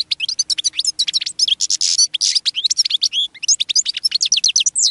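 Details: A caged European goldfinch sings a fast, continuous run of bright twittering notes and liquid trills, with high buzzy tinkling phrases. A linnet later joins in.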